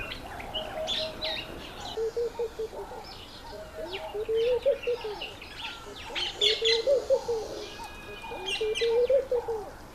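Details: Laughing dove courting a female: low, chuckling phrases of rapid coo notes that swell and fade, repeated several times, beneath a steady chorus of high chirping and twittering birds.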